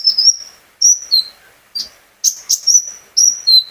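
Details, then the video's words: Own captive sunbird singing to prompt other birds: thin high whistled notes, some rising and some falling, in spaced phrases separated by short gaps. "burung konin gacor pancingan terapi burung kolibri ninja agar ikut gacor"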